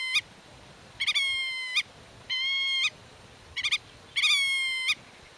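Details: Nest-defending black-tailed godwit addressing young hidden in the grass and warning off intruders: a series of nasal drawn calls, several opening with quick stuttered double notes, each ending in a brief upward flick, given in steady succession.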